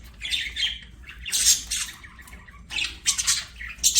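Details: Budgerigars singing while playing, a flock's busy mix of scratchy high chirps, squawks and warbles in irregular bursts, with a low background hum.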